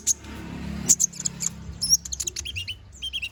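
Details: Konin bird song used as training song for magpie-robins: scattered sharp high chirps and short whistled notes, then a run of quick repeated downslurred phrases near the end, over low background hum.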